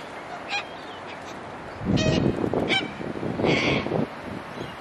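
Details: Australian cockatoos, abundant in place of pigeons and at times bold enough to land on people: several grating squawks with buzzy harmonics, separated by rough low rumbling noise.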